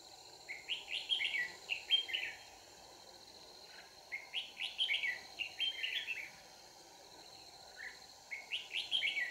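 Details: Red-whiskered bulbul used as a decoy bird for trapping, singing in bursts of quick, warbled, chirpy phrases repeated several times, with pauses between them, over a steady insect hum.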